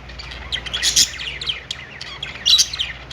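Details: Budgerigars chirping on a perch inside a pet store: quick high tweets and wavering warbles run together, with two louder bursts of sharp chirps near the start and end.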